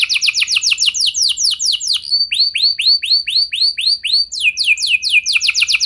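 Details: Canary song used as a lure to set other canaries singing and rolling long: rapid steeply falling trilled notes, then a run of slower downward-slurred whistles, ending in another fast trill; no other sounds.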